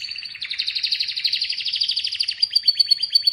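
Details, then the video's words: Atlantic canary singing, offered as soothing relaxation sound: a fast, high buzzy trill of rapidly repeated notes held for over two seconds, then a slower run of sharp down-slurred chips; no other sounds. "Atlantic Canary sings in an amazing voice"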